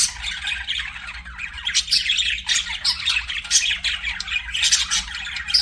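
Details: Pet budgerigars chirping: dense, continuous chatter of buzzy, scratchy warbles and sharp squawky notes packed together, with brief louder bursts throughout and a faint low hum underneath.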